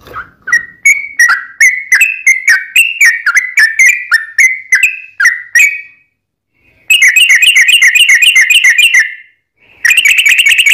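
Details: Sooty-headed bulbul song to draw other birds into singing: a long accelerating series of clear sliding whistles, then after a gap a rapid buzzy rattling trill and another brief burst.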